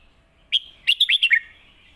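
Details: Master song of a competition Red-whiskered bulbul, used to teach young birds: one ringing opening note, then four or five quick, liquid whistled notes tumbling downward, with a soft trailing hum afterwards.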